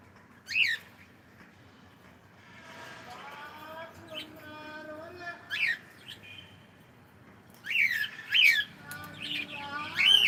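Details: Domestic cockatiel greeting with good morning: loud piercing chirps open and close the stretch, with a mid-section of harmonic, voice-like warbled syllables and a few soft whistles between.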